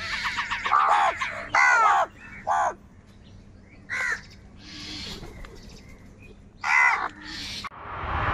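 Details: Crows squabbling over food let out loud, raspy caws in irregular bursts. Some calls come close together or overlap, then pause before more cawing, over a light steady background hiss.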